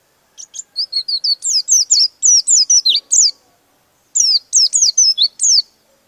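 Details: Oriental white-eye, open-billed and rolling, a song said to provoke rival birds: two bursts of rapid, high, sharply descending whistled notes, about a dozen quick phrases, then a pause and a second run, against a quiet background.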